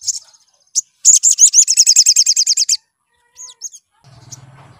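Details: Sunbird lure song meant to make birds sing: a short chirp, then a fast run of high, buzzy, down-slurred notes for nearly two seconds, followed by a few thin upslurred calls and a faint low hum.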